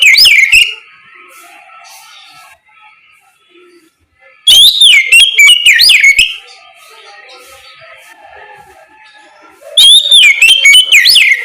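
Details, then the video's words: Morning ngeplong song of an Oriental magpie-robin (kacer), played to prompt other magpie-robins to reply: three loud bursts of rich, sweeping whistles and rapid twisting phrases, separated by quiet gaps with faint background sounds. "Suara ngeplong Kacer di pagi hari, pancingan Kacer agar mau nyaut bunyi!!"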